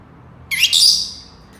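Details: Senegal parrot giving one loud, grating screech with a brief stutter near its start, lasting about half a second and trailing off into quiet.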